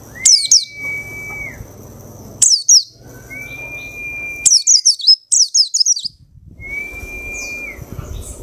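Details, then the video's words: Two weeks after being chosen from a crowded dealer's cage, a caged white-eye sings freely: fast clusters of piercing, downward-sweeping chirps alternating with long, even mid-pitched tones, over a low steady background hum. "Pleci Ombyokan 2 Minggu Gacor"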